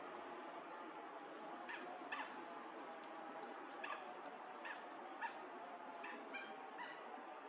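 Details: Wild Mandarin ducks, males puffing up in courtship at a neighbourhood pond in January 2021, recorded from far away: short faint calls, several in a row every half-second to second, over a steady hiss of background noise.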